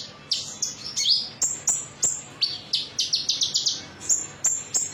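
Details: Lure song of a metallic konin meant to prompt other birds to sing: piercing high whistles alternating with quick buzzy trills, delivered in clipped bursts about every third of a second.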